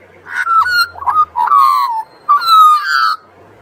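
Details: Carolling Australian magpie by the sea, a warbled run of several fluty, slightly wavering notes in quick succession, some rising then falling, with a soft low hum beneath.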